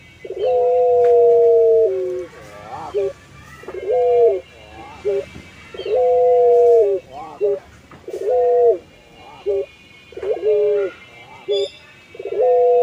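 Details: Hobby-bred puter pelung dove in full song, head nodding: a rhythmic series of long level hoots, undulating coos and short clipped notes, repeating roughly every two seconds.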